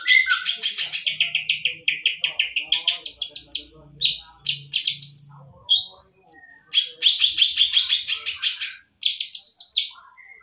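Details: Long sequence of a champion greater green leafbird's full-isian song: extended rapid pulsed trills, varied whistled fragments and chattering bursts, with brief pauses between phrases and a faint low hum in the background.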